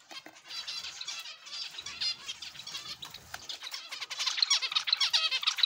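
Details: Several zebra finches in an aviary give short nasal, buzzy calls in quick irregular series, growing louder and denser toward the end.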